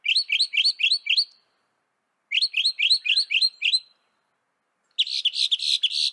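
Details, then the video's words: Northern mockingbird from North America singing quick repeated upslurred chirps in rapid series, two runs of about eight notes each, then a harsher, buzzier burst of notes. "Veja o canto do pássaro, ave zombeteira"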